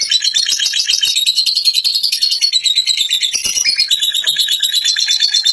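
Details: Fighter lovebird giving a long ngekek: a dense, fast, high chattering stream of shrill notes that runs without pause across the clip.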